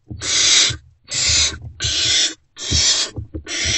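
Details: Hungry great horned owl nestlings in a box react to an adult's arrival early on 3 March 2024; five grating, hissing screeches in fast succession, with soft knocks and shuffling in between.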